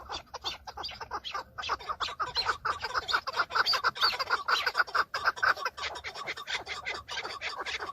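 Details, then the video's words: Chukar partridge males in breeding-season combat, displaying to females; recorded from inside a car. A continuous, crowded chorus of clucking, cackling notes, irregularly spaced and overlapping, loud across the whole stretch. "شەڕە کەو - دەنگی کەو -معرکة بين الطيور حجل - کبک - صوت حجل - Chukar partridge fighting -Chukar call"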